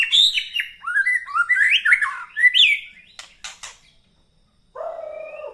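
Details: White-rumped shama morning song, meant to stir up fighting spirit: rapid slurred whistles and chattering phrases, then a few sharp clicks, a pause and a short harsh, nasal note.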